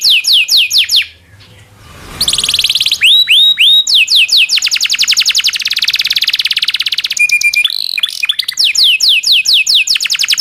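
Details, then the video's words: Domestic canary, a lively singer in master song for training other canaries: rapid downslurred chirps, a short gap, then rolling trills and steady high tones with sharp sweeping notes, loud and continuous. "SUARA BURUNG kenari gacor cuit cuit ngerol panjang ini buat MASTERAN KENARI dan PANCINGAN KENARI"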